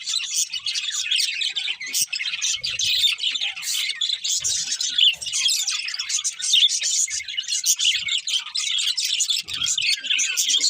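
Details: A group of happy pet budgerigars eats and sings, filling the air with steady, dense twittering and buzzy warbles, punctuated by faint low thumps.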